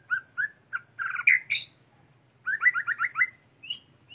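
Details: Scarlet minivet recorded during bird trapping in Vietnam, giving two bursts of quick, stuttering whistled notes, each run of five or six clipped notes followed by higher single notes, over a steady high electronic whine.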